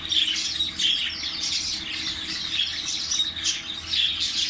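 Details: Parrot giving harsh, raspy squawks and screeches repeated in rapid bursts, loud and continuous throughout, with grating high tones and no other clear sounds.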